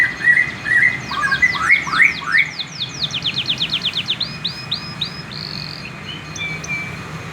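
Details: Young male canary still learning to sing: a rapid series of sweeping, downward-slurred whistled notes, first lower then higher, several trills of repeated notes, ending in a few longer sliding whistles, over steady background hiss.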